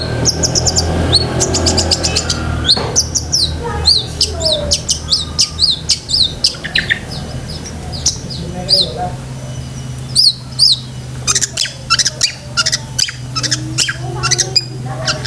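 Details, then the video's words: Long-tailed shrike singing vigorously with many imitated fillers, for training pet shrikes: long stream of high rattling trills, chirps, slurred whistles and occasional harsh notes, shifting constantly, with a persistent low drone underneath. "BURUNG CENDET GACOR ISIAN SEKEBUN"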